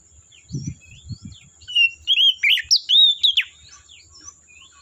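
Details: Forest Oriental magpie-robin delivering a rich whistled phrase of sweeping, rising and falling notes, preceded by soft distant chirping and a few low thuds.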